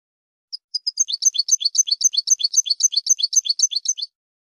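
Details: Song of a European goldfinch for training: two short lead-in chirps, then a regular, fast, bright repeated twittering phrase of high notes for about three seconds.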